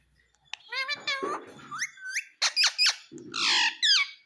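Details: A pet Indian ringneck parrot talks indoors. High, squeaky, speech-like syllables come in short bursts, with a few sharp clipped notes and a brief raspy squawk.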